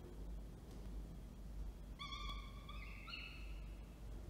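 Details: Falcon on camera in Orange, NSW, 19 October 2024, as the male delivers food and the female feeds: after a quiet start, one long, harsh harmonic wail that steps upward partway through, over low background hum.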